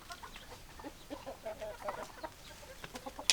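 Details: A flock of chickens, hens clucking and roosters, short repeated clucks from several birds overlapping, ending in a sharp loud click or knock.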